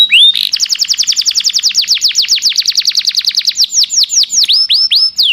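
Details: ['Canary giving a long song suited to tutoring caged birds: one high whistled note, then a fast even trill of rapid downward-sweeping notes that slows toward the end into wider separate slurs.']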